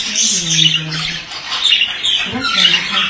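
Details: Male budgerigar in song: dense, scratchy high chatter and warbles, continuous, with a low buzzing hum beneath.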